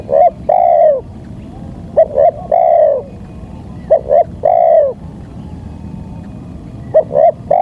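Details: Spotted dove lure call for attracting wild birds: phrases of two quick notes then a drawn-out descending coo, about three phrases across the stretch, with low constant background noise.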